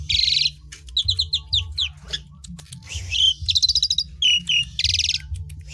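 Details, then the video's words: Asian pied starling song used to get other birds singing: buzzy hissing bursts, rapid rattling trills and short whistled notes repeated in quick phrases, over a low continuous hum. "PANCINGAN JALAK SUREN UNTUK BURUNG KURANG GACOR"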